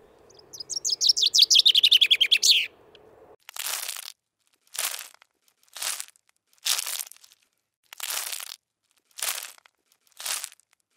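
A finch sings a fast, bright trill of about twenty high, down-slurred notes, followed by a series of dry, crunching rustles every second or so.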